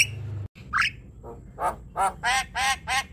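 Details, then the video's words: Javan myna singing, known locally as jalak kebo, in a chattering ocehan style: a short rising whistle followed by a run of harsh, squawking notes repeated about three times a second. "Ocehan jalak kebo"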